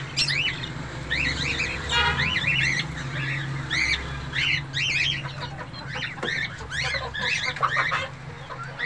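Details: A colony of budgerigars (Melopsittacus undulatus) kept for breeding, pairs ready to breed, chatters nonstop, many birds overlapping in quick, warbling chirps over a steady low hum.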